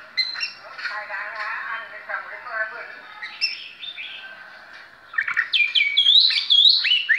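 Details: Oriental magpie-robin in a singing display, opening with soft rambling warbles, then bursting into bright looping whistles and quick rising slurs near the end.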